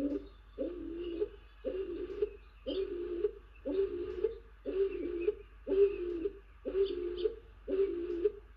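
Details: A Stock Dove, presumably male, lands on a Tawny Owl box where the hen owl is incubating and calls incessantly: low, hollow coos, nine in a row about one per second, steady and monotonous, in a quiet, slightly enclosed space.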